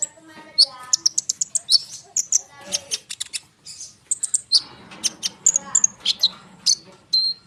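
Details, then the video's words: Konin bird in busy, continuous rolling song, used as a lure so other small birds answer. Fast, overlapping high chirps, twitters and thin whistles pour out almost without pause. "konin gacor ngerol suara rapat untuk pancingan kolibri bahan cepat respon"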